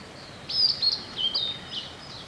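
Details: Blue-and-white flycatcher (Cyanoptila cyanomelana) singing from a treetop in a waterside forest after rain in spring: a brief, clear, high whistled phrase of four or five slurred notes over about 1.5 seconds, faint background hiss.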